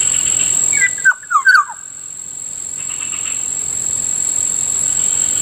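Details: Near a rice field in the morning, a black-naped oriole gives one short phrase of three or four liquid, falling whistled notes, with a continuous high-pitched insect drone behind it.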